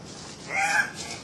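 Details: Andean cock-of-the-rock of subspecies saturata, two males displaying at a lek at Cock of the Rock Lodge, Manu National Park, Peru, recorded 1 August 2005. A single harsh, nasal, rasping squawk lasts about half a second against a hissing background.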